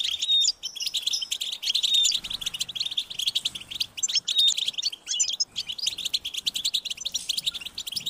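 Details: European goldfinch chicks calling their parents for food, giving high, insistent, rapid chirps in long bursts broken by brief pauses.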